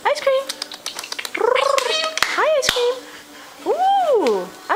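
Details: A pet 6-year-old male galah (rose-breasted cockatoo), rehoused half a year earlier, gives rising-and-falling, meow-like cat-mimicking cries and laughing cackles, with sharp clicks between them, while a person talks over it.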